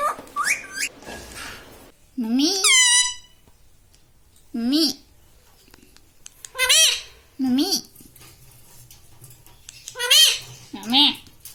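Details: Pet ringneck parrot talking at home, taught words such as "mummy" and "papa"; separate sharp, harmonic word-like bursts, some bending up then down, spaced by quiet gaps of one to two seconds.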